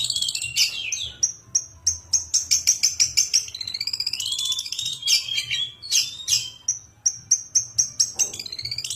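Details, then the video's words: Long-tailed shrike, a raw untrained 'bahan' bird, singing vigorously ('gacor'): a fast, varied run of sharp high chirps, thin whistles and buzzy descending notes, with bursts of rapidly repeated clicks and a low steady hum behind. "Pentet Bahan Gacoorr"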